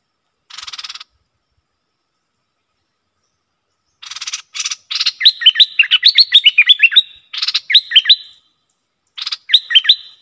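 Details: Bulbul worked up against rival wild birds, singing as a lure: dry buzzy rattles lead into a rapid string of bubbly, slurred whistled notes, repeated in short bursts with pauses between.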